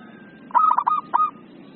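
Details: Short burst of zebra dove (perkutut) song in the agitated 'emosi' style: four quick, rolling, clipped coos and then one more after a brief gap.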